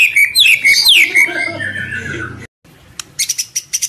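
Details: White-rumped shama singing in fighting style: loud descending and rising whistled notes in a fluid phrase, fading into softer trailing notes, a pause, then a few short sharp clicks.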